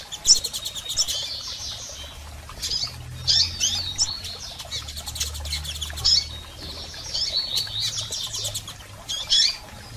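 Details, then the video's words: Female and male double-collared seedeaters calling, used to stimulate a male: long spells of rapid high ticking mixed with squeaky chirp bursts, a quieter gap in the middle, then more bright chirps. "PIADOS de Coleiros Fêmeas e Machos Para Foguear Seu Coleiro!!!"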